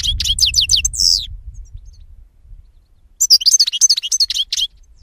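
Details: Jilguero song: a short series of quick slurred chirps ending in a buzzy trill, silence, then a longer, dense twittering phrase of high liquid notes.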